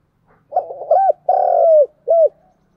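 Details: Lure call of a spotted dove meant to stimulate other doves: a rough stuttering lead-in, a short hooked coo, a long level coo that drops at the end, and a final short curved coo.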